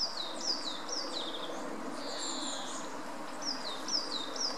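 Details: Female mallard with ducklings: thin, high duckling-like peeps slide downward in quick runs, about two a second, over a steady hum of outdoor background noise.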